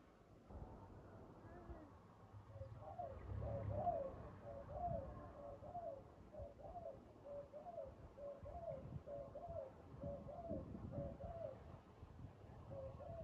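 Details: Spotted dove in a decoy trapping setting, a steady run of soft, slightly rising coos repeated about twice a second over low rumbling background noise.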